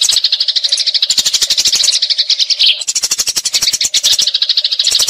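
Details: Eurasian tree sparrows fighting with long rolling chatter, recorded to train magpie-robins: dense scratchy chirps pouring out rapidly, slight breaks near three and four seconds, clicks throughout.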